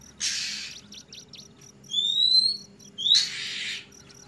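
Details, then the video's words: Oriental magpie-robin (kacer trotol) singing in the loud, open ngeplong style: two harsh, hissing rasps, a short run of quick ticking notes, and a long, clear, rising whistle between them. "suara burung kacer trotol ngeplong"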